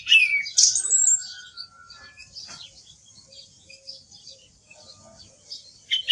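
A song thrush opens with a loud burst of shrill, squeaky notes and a thin falling whistle, then softer twittering, before another sharp phrase at the end.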